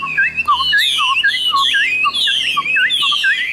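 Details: Chinese hwamei, caged and yellow-billed, repeats swooping whistled phrases, each a high note dipping into a lower looping turn, several times in quick succession.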